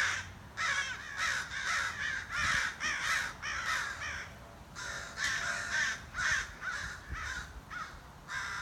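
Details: Crows by a back door caw rapidly and repeatedly, short hoarse notes nearly two per second, falling into a second run after a short break.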